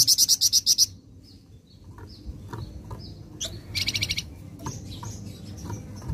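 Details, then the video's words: Flameback training recording said to draw an immediate reply: opens with a loud fast series of about seven harsh high notes, then quiet faint whistles and ticks, and a second, weaker rapid burst midway. "Sekali Putar Bahan Flamboyan Langsung Nyaut"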